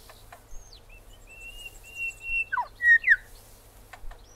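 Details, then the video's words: A Grey Shrike-thrush in Australia: a thin high whistle, then a long steady whistled note, ending in three loud, rich, sharply dropping and rising whistled notes in quick sequence. "Grey Thrush"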